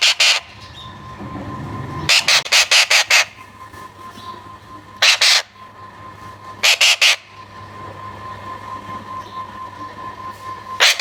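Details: Rasping squawk bursts from a young Alexandrine parakeet, coming in clusters of one to five quick harsh notes separated by pauses of a second or more, against a continuous low hum.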